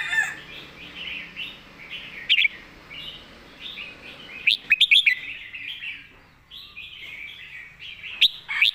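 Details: Red-whiskered bulbul singing a clear master song: short, warbled, fluting phrases repeated in a loose series, broken by a few sharp clicks and knocks.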